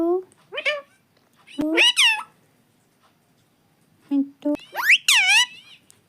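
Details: Pet parrot talking nonstop indoors, giving two bursts of shrill, strongly harmonic voice-like phrases that swoop up and down, separated by a quiet pause, with a person's voice nearby.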